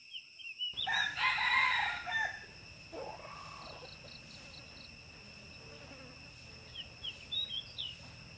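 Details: Wild red junglefowl crowing at a pagoda near Teuk Chob Khnar Po Community Forest in Siem Reap, Cambodia: a strained, raspy crow of about 1.5 seconds, a softer lower note after it, then a pulsing insect chorus and faint bird chirps.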